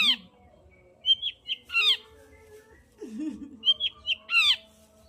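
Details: Long-tailed shrike song played to prompt singing in a bird reluctant to sing: high slurred whistles and harsh downward buzzy notes in short phrases, with a lower wavering tone in the middle and gaps between.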